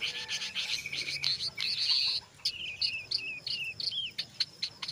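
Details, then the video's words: Brown jongkangan delivering continuous ngeriwik chatter blended with ngeplong notes, intended to coax other jongkangan into song; dense scratchy twittering with looping whistled phrases over a faint hum. "SUARA BURUNG JONGKANGAN COKLAT NGERIWIK GACOR"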